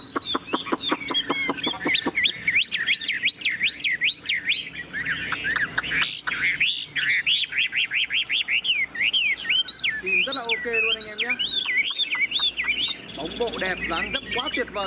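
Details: Tame caged Chinese hwamei (họa mi), a golden-billed bird with a spread tail, delivering high, far-carrying song: fast rattling trills opening into looping whistled phrases, with a brief lower harmonic sound near the end.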